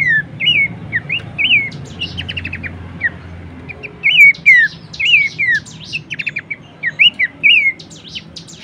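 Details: Tutor recording of Horsfield's babbler vocals: bright whistled slurs repeated about once a second, broken by short rattling runs of clipped notes. High chirps of other birds overlap, with a soft low drone.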